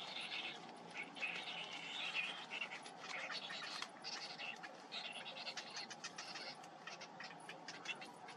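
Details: Baby Cinnamon bittern begging while fed by a parent: breathy, panting rasps and scratchy chirps repeated irregularly for several seconds, rough and noisy.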